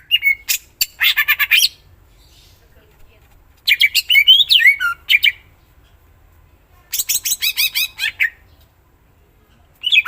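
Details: Rapid chattering greater green leafbird song: three dense bursts of buzzy, scratchy trills and mimicry-like notes, each lasting about a second or more, separated by quiet pauses.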